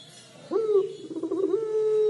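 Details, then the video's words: Puter pelung collared dove giving its crying call: a drawn-out low coo with a quick rise, wavering in the middle, then holding a long steady tone. "Suara Burung Puter Pelung Menangis"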